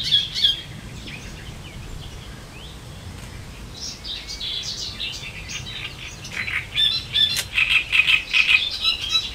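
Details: Great reed warbler on the Elbe river in Germany, heard at a distance: mostly soft background hiss with scattered faint notes, then a burst of loud grating, chattering song phrases toward the end.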